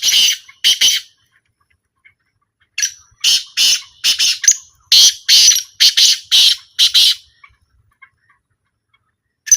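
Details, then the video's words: Repeated harsh call of a black francolin at a calling trial: several phrases of loud, grating, scratchy notes, each series introduced by a faint thin whistle, with brief silences between phrases. "A Small Trial Of Black Francolin"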